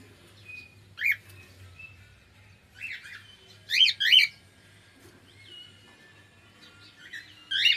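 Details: Singing pet cockatiel: clustered sharp chirps, a pair of loud squawky notes, then a soft drawn-out whistle gliding downward, with quiet low humming behind.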